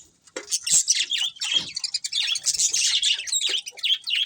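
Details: Pet budgerigar breeding pair chirping: lively continuous warble of squeaky whistles, clicks and buzzy high notes with little pause after the first moment.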